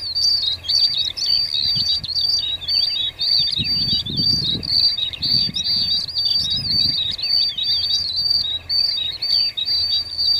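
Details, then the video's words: Cinereous tit singing energetically in the wild: unbroken stream of high, quick chirping and twittering notes, with low rumbling thumps partway through and a faint insect drone behind. "MASTERAN.."GELATIK BATU"Istimewa..Gacor di Alam liar."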